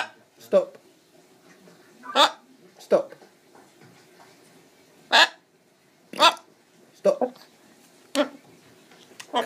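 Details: A macaw chatting and dancing gives short, harsh, speech-like bursts, about eight in nine seconds, with quiet pauses between them in a small room.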